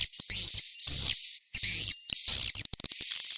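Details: Swiftlets giving calls meant to call the young, in a stereo recording: high, thin twittering chirps in dense bursts over a steady high whistled tone, broken by short silent gaps.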